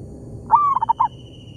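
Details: Zebra dove calling in an oil palm plantation while exchanging calls with a decoy bird: one clear phrase, a sliding mid-pitched coo broken into three or four quick stuttering notes, over low background rumble.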